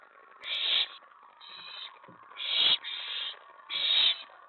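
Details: Owl at the nest at night on 24 May 2017, when a mouse and then a rat were delivered. Three loud, breathy screeches, each about half a second, are separated by quieter raspy hissing.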